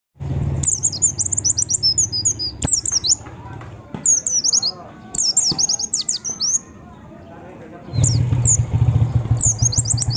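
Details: White-eye used as a lure to provoke other white-eyes sings rapid, high, thin twittering phrases in bursts of one to two seconds, over a low background hum.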